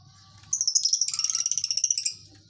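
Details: Lovebirds in a colony giving a long ngekek chatter: a shrill, rapid pulsing trill of about twenty high notes over a second and a half, preceded by faint softer twitters.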